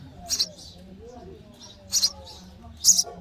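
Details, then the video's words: Sparrow nestlings calling for food in the nest, three brief, high, scratchy chirps spread over three seconds, with softer faint sounds between them. "Baby sparrow chirping sound for food"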